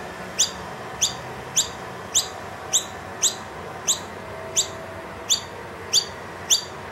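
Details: Noisy miner, wild, visiting a room with two young and calling for more food from an empty feeder; single bright, high chirps spaced evenly a little under one per second over a low room hum.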